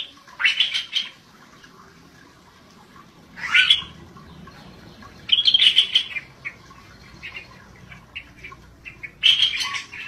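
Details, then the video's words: Scaly-breasted bulbul singing "gacor": short bursts of chattering, squawky notes around one to four kilohertz, separated by pauses of about two to three seconds, over a faint low background hum. "Cucak Bersisik GACOR DORR"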